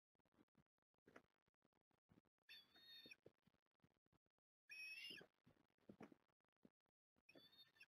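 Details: Osprey family at Port Lincoln during a feed for the three growing young, 09 October 2021, live nest cam. Three whistled calls, one clearly louder, stand over constant faint rustling and pecking noises.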